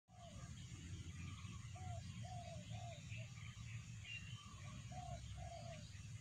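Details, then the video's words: Wild forest bird singing in a full, lively voice: short slurred whistled notes repeated at intervals of about half a second, with fainter higher chirps above, over a steady low rumble of background noise. "เสียงนกป่า คารมดี"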